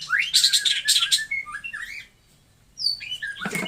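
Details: White-rumped shama, Taiwan type, with a rising whistle and bursts of harsh high chatter, several slurred whistled notes, a short silence, then more swooping whistles and a noisy crack.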